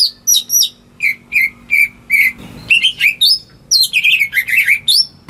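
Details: Captive greater green leafbird song meant to prompt silent birds to sing; bright whistled phrases, some descending, others sharply rising, delivered in rapid series with a short break midway and a low hum behind.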